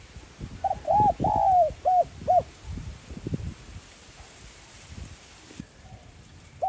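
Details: Spotted dove cooing in 'giọng son' style to excite decoy birds: one phrase of hooked coos, a long sliding falling coo and two short ending notes, followed by low background rumble and a faint coo at the end.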